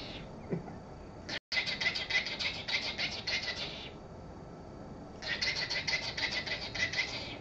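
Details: Pet male cockatiel, excited at being shown checks, rapidly repeating his own name: two bursts of quick, harsh, harmonic syllables stuttered in fast succession, separated by a quiet gap, with faint room noise between.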